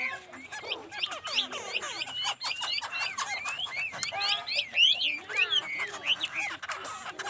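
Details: Laughingthrush song: a long, continuous run of varied whistled phrases, twisting up and down in quick succession, mostly mid-to-high pitched, with a faint background hiss.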